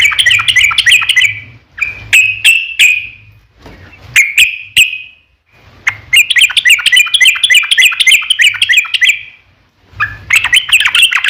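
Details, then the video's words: Yellow-vented bulbul singing a long lure song meant to prompt other birds to reply; fast, tumbling runs of chirpy notes alternate with a few spaced single notes and short silences. "SUARA trucukan gacor ROPEL PANJANG pancingan trucukan agar bunyi"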